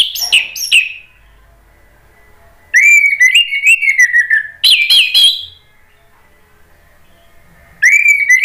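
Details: Orange-headed thrush singing as a provocation for other thrushes: loud phrases of varied whistled warbling and sharp high notes in bursts separated by silent gaps of a second or two.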